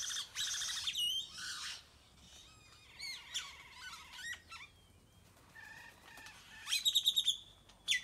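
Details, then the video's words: Birds in a tropical tree, Nayarit, Mexico: overlapping chirps, rapid trills and whistles, ending with a fast run of about six sharp repeated notes. "Many bird songs 🎵 fill tropical tree .Nyarit Mexico"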